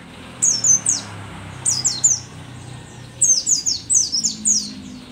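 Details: Rare Merapi-endemic mountain white-eye, dakun type, old yet still a strong singer, delivering clustered phrases of high, piercing down-slurred notes, two to five per burst, in quick succession with short pauses between.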